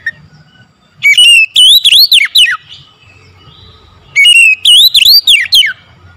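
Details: An oriental magpie-robin sings in the morning, delivering two loud phrases, each opening with a level whistle and breaking into four or five fast swooping, slurred notes.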